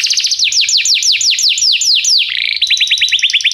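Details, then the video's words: Canary singing as a tutor for training a young canary. A clean series of about a dozen loud, steeply downslurred whistled notes, then a brief slide into a faster trill of repeated bright notes, with no background sound. "canário cantando - professor para o treinamento do seu filho canário"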